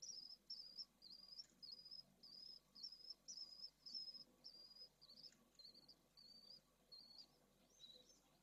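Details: Newly hatched pallid swift chicks of a second clutch in a nest at Jerez de la Frontera, Spain, in high temperatures; a steady string of high, short squeaky notes about twice a second, some lower-pitched toward the end.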